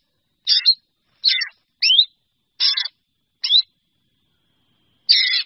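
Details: Calling to its flock, a black drongo gives six harsh, squeaky notes, some mixing a rising metallic whistle with grating buzz, then pauses before a final broad raspy burst.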